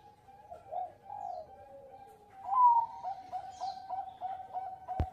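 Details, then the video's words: Bangkok-type zebra dove cooing as a lure for other birds: drawn-out low notes, then a rapid staccato series of short coos, with a sharp click near the end. "Perkutut Bangkok Gacor Pancingan Suara Besar Cengkok Merdu"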